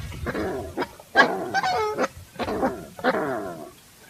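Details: Coscoroba Swan calling in a steady series of gruff, nasal honks, about five clustered notes over four seconds, some doubled, each rich and slightly falling in pitch.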